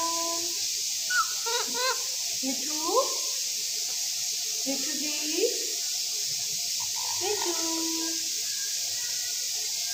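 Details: Pet Alexandrine parakeet mimicking speech: a series of short, wavering, voice-like syllables scattered across ten seconds, some bending upward. They sound over a constant hiss, with small clicks.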